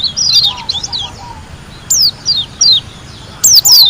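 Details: White-eye (pleci) from Lombok, singing vigorously (gacor). High, thin downslurred whistles come in short bursts separated by pauses. A faint lower twitter sounds near the start.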